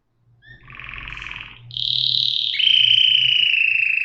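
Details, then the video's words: Canary song with a soft buzzy trill, then a loud sustained whistle that steps down to a long, slightly wavering lower tone. "صدای قناری"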